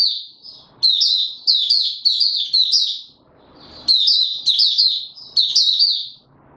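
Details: Opening song of a caged white-eye being brought to form, recorded 31 December 2021: quick, high warbled notes strung into two long chattering phrases separated by a short pause with faint scratching.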